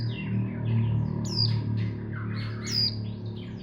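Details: Untrained hobby mountain white-eye in a busy twittering run of high chirps and buzzy slurred notes, over strong low droning hum.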